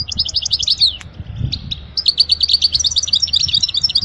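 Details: European goldfinch song offered as a model for teaching young birds: rapid, liquid, high twittering phrases of tinkling notes, briefly broken near the one-second mark, then resuming in a dense chattering run, over a faint low background hum.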